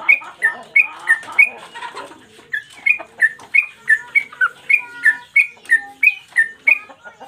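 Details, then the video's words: Lively yellow-vented bulbul song for training cage birds: some busy chatter at the start, then an even train of clear whistled notes alternating pitch, roughly three each second. "Trucukan gacor mbandul satu lagu main ekor dan Garuda cocok buat masteran"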